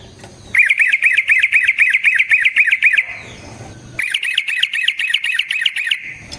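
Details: Yellow-vented bulbul in long rolling fight song, used to provoke other bulbuls into answering: two bursts of very rapid, even chattering notes, about four per second, separated by a one-second pause.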